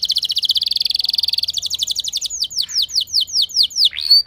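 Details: Canary lure song for setting other canaries singing, opening with a long rapid high trill that slows into a series of descending whistled slurs about three per second, ending on a sharp rising note.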